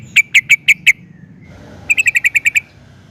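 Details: Sooty-headed bulbul (trucukan) in full song, used to draw other bulbuls into singing. Five evenly spaced sharp chirps, a short gap, then a faster run of eight clipped notes.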